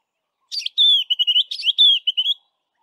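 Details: Single phrase from a white-browed scrub robin singing west of Grahamstown: a scratchy opening chirp, then a fast chain of clear whistled slurs wavering up and down, lasting under two seconds.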